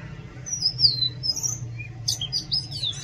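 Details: Oriental magpie-robin singing: high, clear whistled notes sliding downward, then a burst of quick, varied, sharply rising and falling whistles near the end, over a low steady hum.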